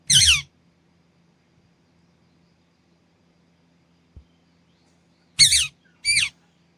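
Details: Pet green ringneck parrot: one raspy screech, a pause of about five seconds, then two more screeches in quick succession.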